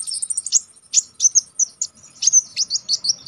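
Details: Konin with sharp, tutor-style singing for contest birds: dense, very high chattering, with rapid trilled notes and clipped chirps following one another without break.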